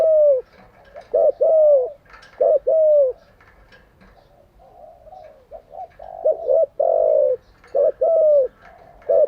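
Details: Spotted dove used as a decoy for daily training of caught doves; loud rounds of short notes and falling coos, a quieter stretch of soft cooing, then strong phrases again.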